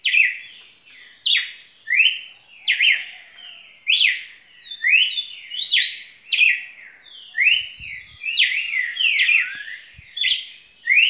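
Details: Red-cowled cardinal in full song, with plenty of singing and spirit: a long run of sharp whistled phrases, each a quick downward slur then a flat or rising note, repeated steadily, with faint low thumps in the background.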